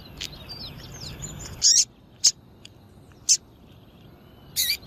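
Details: Female Double-collared seedeater calling to draw males: after soft background twitters, four loud, high chips at roughly one-second intervals, the last slightly longer and buzzier.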